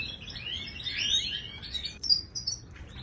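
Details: Moroccan goldfinch song in the Widani and tbitba styles, played to teach silent caged birds to sing; faint jumbled twittering of high, overlapping chirps and short slurred notes, with one brighter squeak near the end.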